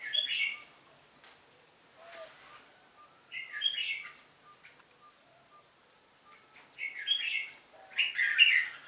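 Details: Red-whiskered bulbul singing competitively, delivering bursts of clear, chirpy warbled phrases separated by pauses of a couple of seconds, the last phrases loudest.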